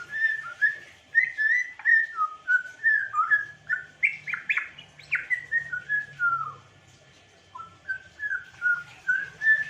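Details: Rapid run of whistled notes from an African grey parrot, dozens of short rising and falling slurs in a steady stream, a few higher chirps mid-way, then a brief pause and another quick series, with faint low hum.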